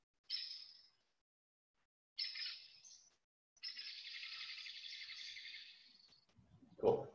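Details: A Hairy Woodpecker gives two short, sharp bursts, then a long, fast, high rattle that stays level in pitch rather than dropping, with a brief knock at the end; its voice is deeper than the Downy Woodpecker's descending whinny.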